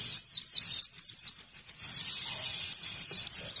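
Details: Oriental white-eye trigger song for teaching other birds the ngalas style. It opens with a quick tumbling run of high, zigzagging notes, pauses briefly, then resumes with a few spaced, sharp, falling chirps.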